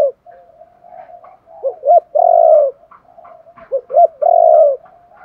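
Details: Spotted dove calling to spur wild-caught birds into calling. Two phrases each open with quick paired notes and swell into a long, deep, vibrating coo. Softer low murmuring continues underneath.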